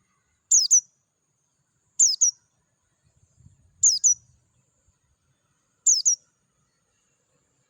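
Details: In natural surroundings, an Oriental white-eye (Dakun type) sings clear ngalas phrases: high, thin paired chirps repeated roughly every two seconds, five bursts in all, with a faint low rumble in between.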